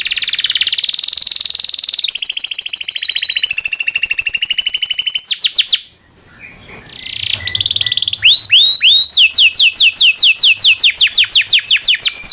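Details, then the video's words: Singing domestic canary used as a master for training others: long buzzy rattling trills shifting pitch, a brief pause, then rapid hooked whistled notes repeated about three per second. "SUARA BURUNG kenari gacor cuit cuit ngerol panjang ini buat MASTERAN KENARI dan PANCINGAN KENARI"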